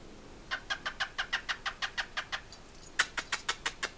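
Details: A male cockatiel makes rapid, repeated kissing smacks, copying the kissing sounds his owner makes; his mate sometimes gets fed up and pushes him away.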